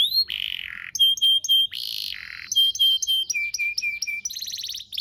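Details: Canary song played as a master recording for young canaries: a buzzy low roll, series of short pure whistled notes repeated about four per second, further buzzy tours and a closing rattle.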